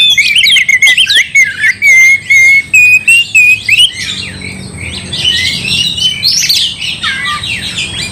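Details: Oriental magpie-robin in gacor song meant to enrage another bird: a run of clear whistles and short choppy notes, followed by a softer, harsher jumble of scratchy phrases.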